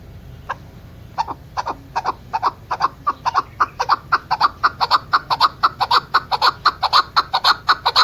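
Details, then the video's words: Female chukar partridge calling: rhythmic, clucking chuck notes, starting sparse and becoming steady at about two a second, growing louder over the series. "chakor ki awaz keklik sesi hunter birds madi ki awaz bast female chakor sound voice awaz"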